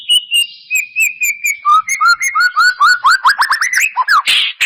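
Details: White-rumped shama singing to prompt song from another bird: a steady series of short whistled notes stepping downward then climbing, accelerating into quick rising whistles and ending in a harsh burst.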